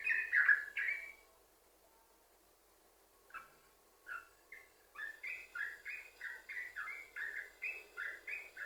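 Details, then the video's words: Yellow-vented bulbul singing: a loud whistled burst, a pause of near silence, then scattered notes building into a steady run of bright, chattering whistles about three a second. "Trucukan Gacor, Sambung Ropel,Ini Ampuh Buat Pancingan Trucukan Agar Bunyi"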